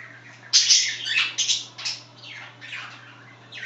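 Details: Pet budgerigars chattering indoors: a burst of harsh buzzy warbling followed by several shorter scratchy chirps and fading twitters, with a low continuous hum.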